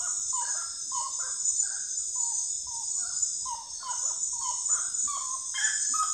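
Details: Common gallinule uttering an irregular string of short, nasal kek-like notes at varying pitches, set against an unbroken shrill drone of insects.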